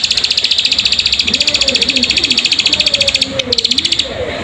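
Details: Plain prinia lure call meant to make birds sing: dense, fast train of high buzzy chirps, around four per second, with faint human voices murmuring underneath.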